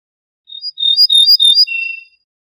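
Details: Ortolan bunting, known in Morocco as al-bouh al-fassi, singing one short phrase: a thin opening note, a quick run of bright, ringing high notes, then a lower, steady whistled tone to close. Clean recording with no other sounds.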